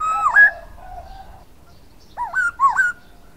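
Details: Silver-eared laughingthrush giving a rising slurred whistle with a low flat note, then after a pause two looping, wavering whistled notes.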